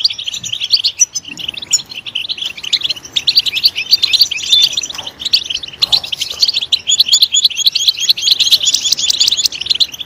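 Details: European goldfinch singing loudly: long runs of high, tinkling twitters and trills, rich with rapid jangling notes, briefly softer near the start and fuller toward the end.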